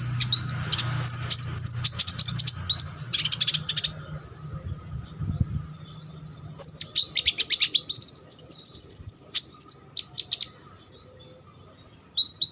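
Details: Sunbird song played as a training recording to teach competition birds: rapid high, thin chirps and fast twittering trills in two dense bursts with a pause between, plus a low hum at the start.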